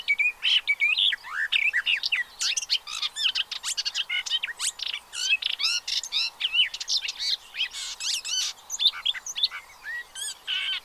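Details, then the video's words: Colony of pied avocets with chicks at Séné Nature Reserve, Gulf of Morbihan, on 30 April 2023. A continuous, crowded chatter of shrill chirps and curving whistled notes without a break. "AVOCETTE Élégante/Poussins 2023 ! BRUITX"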